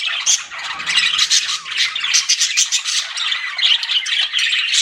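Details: Flirting pet budgies chirp and chatter nonstop: squeaky high notes, scratchy warbles and short buzzy calls from many birds layered over one another.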